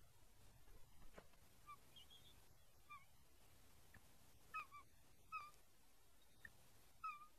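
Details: Bald eagles at a nest in Port Tobacco, Maryland, in April 2022, during a late breakfast delivery, with an eaglet that hatched in March reported unhappy. Soft, high, whistled chirps come in short bursts at irregular intervals over a faint background hiss.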